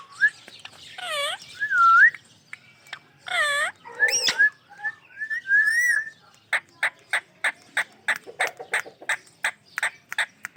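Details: Pet ringneck parrot making varied whistled notes, some swooping down and up, some rising, then a rapid series of short clicking chirps about three a second.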